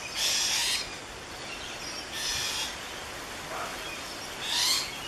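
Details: Rainbow lorikeets calling on the Gold Coast, filmed on a Canon SX50; three loud, grating screeches of about half a second each, spaced roughly two seconds apart, with softer squeaks between them.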